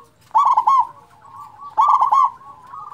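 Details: Big-voiced local zebra dove, played to excite quiet doves: two loud, rich, rapidly stuttered coo phrases about one and a half seconds apart, joined by a low, steady, purring coo.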